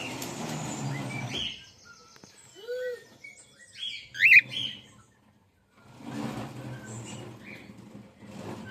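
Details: Pet female cockatiel, one sharp high chirp in the middle after a quiet spell, with rustling and handling noise at the start and end.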